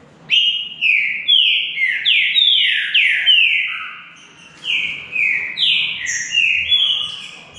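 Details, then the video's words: Green-winged saltator singing in a contest against a rival bird: long, vigorous run of rich whistled notes, many sweeping down, repeated rapidly in two bursts separated by a short pause. "DISPUTA DE CANTO"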